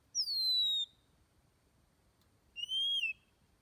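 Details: Oriental magpie-robin (Copsychus saularis) song: two clear, sweet whistles, a long high note sliding downward, then after a pause a lower note that rises slightly before dropping.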